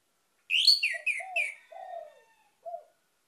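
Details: Orange-headed thrush song meant to lure other birds into singing, cleanly recorded: a loud run of sharp, high, descending chirps over low warbled whistles, a drawn-out falling whistle, then one short low note after a pause.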